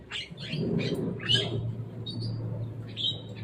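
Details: Javan myna that came to play on top of a cage, giving a few harsh, scratchy squawks in quick succession, then a thin, drawn-out whistled note, over a steady low hum.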